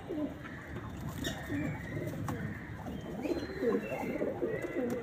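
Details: Pigeons giving soft, burbling coos in quick overlapping phrases, a continuous low warbling murmur with a few higher faint chirps above it.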